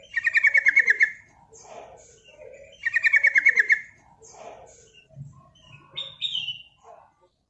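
A yellow-vented bulbul gives a lively, bubbling burst of rapid liquid notes, repeated about every three seconds, with softer chirps and whistles between.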